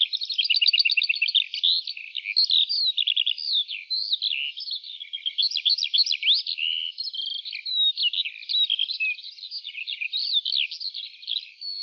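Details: A Eurasian skylark sings in the morning, opening with a rapid rattling trill of repeated notes, then pouring out nonstop high, jumbled warbling and twittering phrases without pause.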